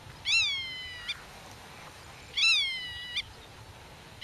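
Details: Black-tailed godwit defending its nest, talking with chicks hidden in the grass and guarding territory against intruders; two drawn-out, slightly falling nasal calls about two seconds apart, each followed by a short note.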